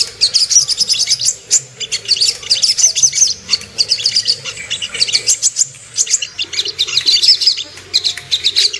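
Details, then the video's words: Lure song of the Ruby-cheeked sunbird, meant to make birds aroused and aggressive: bursts of quick, very high twittering broken by brief pauses, each burst a jumble of sharp chirps. "PANCINGAN AMPUH BURUNG SOGOK ONTONG CEPAR EMOSI DAN NAIK BIRAHI"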